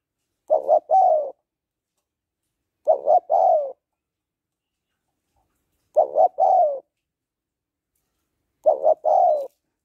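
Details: Female spotted dove calling a male with a steady series of four cooing phrases, two quick coos and a longer descending coo each, spaced about two and a half seconds apart.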